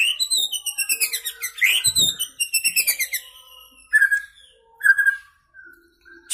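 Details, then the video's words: Caged young white-rumped shama just out of juvenile plumage, singing loud fill-in material while perched in one spot: rapid bursts of sharp, falling notes in quick succession, then short whistled phrases with pauses between. "Murai Gacor Muda Lepas Troto Muntah Isian Main Satu Tirik"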